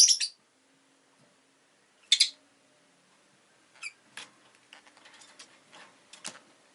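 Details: Rosy-faced lovebirds kept as pets, two recently added birds, give two loud shrill chirps two seconds apart, followed by a run of soft clicks and quieter ticking notes.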